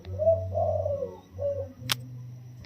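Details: Recently caged wild spotted dove, 16 days in the cage, giving soft single-note 'toss'-style crowing: one brief mellow hooting phrase of two or three coos over a low droning hum, then a sharp click.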